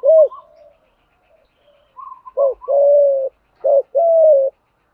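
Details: Spotted dove fighting coo for drilling decoy birds: a short low note, a pause, then brief higher chirps followed by low double notes and two sustained level coos.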